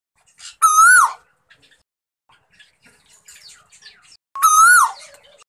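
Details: Hand-raised male Asian koel, rescued as a chick in June 2020, giving two loud, harmonic-rich coo notes that rise then dip, about four seconds apart, with faint soft chirps and ticks in between.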